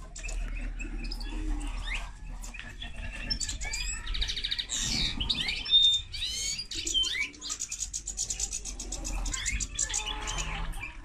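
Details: Energetic twittering from a linnet-canary hybrid: a quiet start building into dense buzzy trills, rapid chirp runs and a short clear whistle, continuing steadily to the end.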